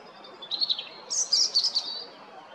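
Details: European robin recorded on 13 April 2022 at Jarun in Zagreb, Croatia: a high, thin phrase of quick tinkling notes, first softer trills, then a brighter, higher cluster of sparkling twitters.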